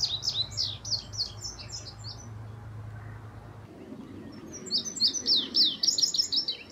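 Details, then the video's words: Indigo bunting visiting this week, an individual not yet finished molting its plumage, singing high, sharp paired notes in a quick run for about two seconds, then a pause and another bright burst of doubled notes; low steady hum underneath. "Indigo Bunting Pays a Visit with a Song"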